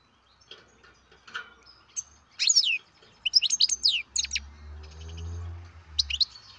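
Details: Captive-bred European goldfinch chick calling with loud, high, fast twittering bursts in two main groups, over a soft low rumble in the background.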